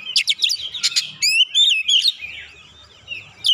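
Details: Oriental magpie-robin (kacer) singing to provoke other birds into song: loud chattering bursts followed by clear whistled rising and falling notes, then a softer buzzy trill.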